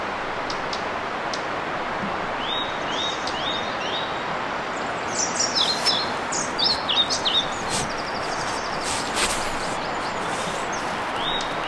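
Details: A male European pied flycatcher advertises his territory to potential mates with short, high, rhythmic phrases of sweet notes, loudest midway, over a steady rush of wind or rustling leaves.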